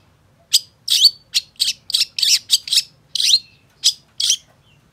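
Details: Long-tailed shrike in vigorous song, used to prompt silent shrikes to sing: a string of about eleven harsh, rasping notes at irregular short intervals, one ending in a falling buzz, then a faint whistle.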